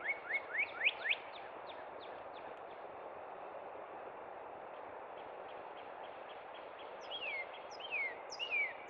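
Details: Spring song of a northern cardinal at Cub Run: a quick run of rising, sweeping notes, a long quieter stretch of faint notes, then three loud downslurred whistles near the end, amid continuous hiss.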